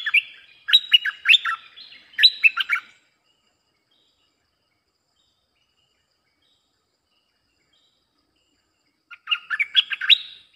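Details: Bulbul lure song for attracting wild birds: a lively burst of quick, bubbling notes stepping up and down for about three seconds, a long silence, then another similar chattering phrase.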